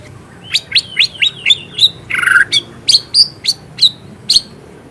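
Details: Captive white-rumped shama, a singing murai batu with full mimicry fill, giving a series of short rising whistled notes roughly every quarter second, with a buzzy burst midway.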